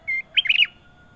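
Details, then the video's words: Kutilang emas, the ruby-throated bulbul, in loud gacor song: a level whistle followed by a tight, rollicking sequence of rich, bubbly notes rising and falling. "KUTILANG EMAS PALING MERDU! Suara Gacor Panjang"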